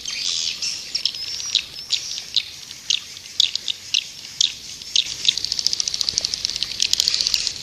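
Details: Lure call of white-nest swiftlets to attract them: soft high chatter with scattered sharp clicks, ending in a rapid, even train of clicking pulses.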